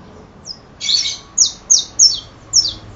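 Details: Saffron finch singing a run of bright, high, down-slurred chirps, one longer buzzy note, then four or five quick clipped notes in a rapid series.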